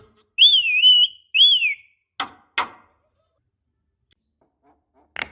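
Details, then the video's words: Javan myna lure for young birds: two clear, wavering whistles that rise and fall, followed by a few sharp dry clicks separated by silence. "Suara Khas Jalak Kebo Untuk Pancingan Jalak Kebo Obyokan / Pancingan Jalak Kebo Muda Cepat Gacor"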